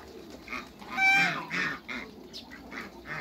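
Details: Hybrid Cayuga and female Muscovy ducks meeting: quick bursts of loud, rough calls, with a thin tonal note near the start of the loudest burst and quieter calls after it.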